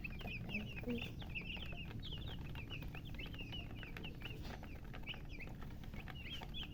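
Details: Newly hatched chicks giving loud, rapid chirps: bright, short downward-sliding peeps in fast overlapping series, a brief softer lower note near the start, low background rumble throughout.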